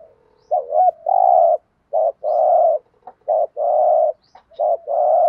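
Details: Caged spotted dove used as a lure, repeating its coo in quick succession: short looped notes alternating with long, even, buzzy coos, about four phrases with faint clicks between.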